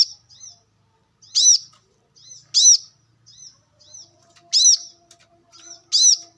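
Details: Brown-throated sunbird from the wild: loud high chirps alternating with quieter clipped notes in a brisk, irregular rhythm against near silence.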